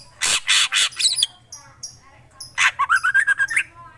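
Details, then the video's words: Lively black drongo song: loud harsh grating bursts followed by a quick string of short chattering notes that rise slightly in pitch, with a steady low hum behind. "Srigunting krantil gacor"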